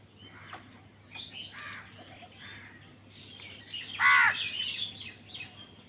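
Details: Amid scattered chirps of smaller birds, a single loud, hoarse caw bursts out late from a crow fighting for food, with fainter calls around it.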